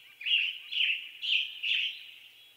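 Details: Western tanager singing a burry, hoarse series of four short phrases, each slightly rising then falling, spaced about half a second apart, with a faint low background hiss.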